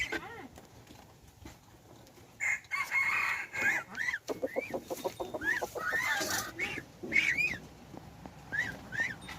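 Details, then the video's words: Hybrid junglefowl, a cross of domestic chicken and wild jungle fowl, recorded 10/1/2021: a dense stretch of crowing and rapid clucking, several bright arched notes repeating over a steady rustling background, with a faint voice early on. "ไก่ต่อลูกผสม Qaib Dib Txuam Qaib Qus Tom 3 Zoo Nraug Qua Zoo heev"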